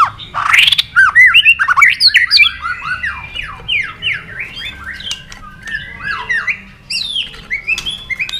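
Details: Competitive forest-voice song from a white-rumped shama bobbing on its perch and flicking its tail, played to rouse another shama. A sharp rising sweep opens, then a busy stream of looping, downslurred whistles continues steadily.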